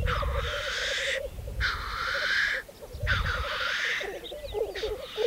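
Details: Several harsh, drawn-out hissing sneezes of black grouse, roughly one every second and a half, over a low bubbling rumble at a spring lek, Saaremaa, Estonia, 2014.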